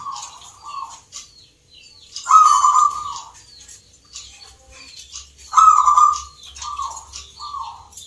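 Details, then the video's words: Local zebra doves (perkutut) at a song contest for the Nglagu Ngepat Mentaraman rhythm style in Yogyakarta, Indonesia. Rolling, purring coo phrases repeat, the loudest near 2.3 and 5.6 seconds, each about a second long. Faint chirps from other birds sound above. "IRAMA BAGUS, PERKUTUT LOKAL GACOR, TURTLE DOVE,ZEBRA DOVE, BIRD SINGING"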